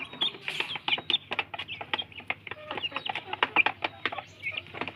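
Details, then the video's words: Kampung chicken chicks jostling over food, giving quick high-pitched cheeps among a constant clatter of pecking taps, with a faint low hum in the background. "Anak Ayam Kampung Berebut Makan, LUCU Suara Ayam"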